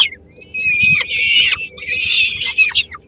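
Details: Peregrine falcons at a nest in Helmond on 13 May 2016: chicks three weeks old as the female brings a small morsel to share. Loud, raspy, drawn-out screeching calls with a few short sharp notes.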